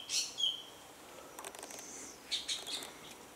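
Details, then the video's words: Male orange-bellied leafbird in high-altitude forest at Doi Inthanon, Thailand, singing between feeding on fruit, gives high, sharp whistled chirps, then rapid scratchy, twittering bursts; its song is largely mimicry of other birds. "Orange-bellied Leafbird Call"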